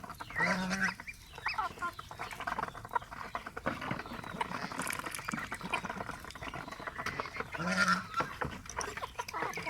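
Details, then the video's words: ['Pet domestic geese kept with ducks. Two short nasal honks, one near the start and another about seven seconds later, rise out of constant rustling and clattering background noise.'] "enjoying pet Goose paul & Ringo and pigo sound Duck"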